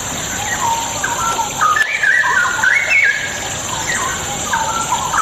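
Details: Straw-headed bulbul bait song for birds that will not sing: a flowing run of mellow whistled notes climbing to a bright peak then dropping, backed by a continuous soft hiss.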